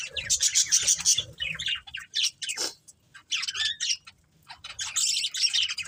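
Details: Bursts of squeaky, twittering chirps from a budgerigar breeding pair, each burst lasting a second or so, broken by short silences.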